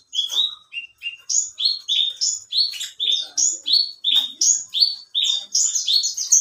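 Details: Competition branjangan (alinea variety) delivering a fast chain of bright whistled notes, about three per second, alternating slightly higher and lower pitches with thin overtones above.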